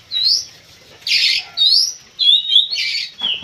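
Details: Oriental magpie-robin, locally kacer, delivering pacingan song to get other birds worked up: loud rising whistles alternating with harsh rasping bursts, a fast trilled phrase, and a final descending whistle.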